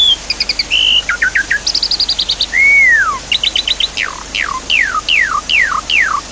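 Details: Javan pied starling song used to stimulate a bird that stopped singing. Dense, varied phrases: chirp clusters, a long arched whistle, then loud sweeping downslurs repeated about every half second over a water-like hiss.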